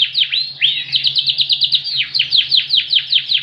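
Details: Very loud ringed Yorkshire canary singing its cililin-style phrases: sharp, high, down-slurred chirps repeated about four times a second in a rhythmic, ringing series over a soft low hum.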